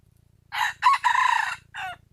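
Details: Crowing of a wild junglefowl, recorded in 2021 as a lure: a brief first burst, then a higher clipped note running into a long sustained rasp, and a separate short falling tail. A low hum lies beneath.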